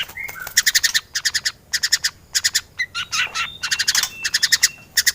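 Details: White-rumped shama singing vigorously in a full, varied fill-in style used as a master recording for training other birds: tight clusters of rapid buzzy, stuttering notes alternate with clear whistled phrases, some sliding and rising, over a quiet background.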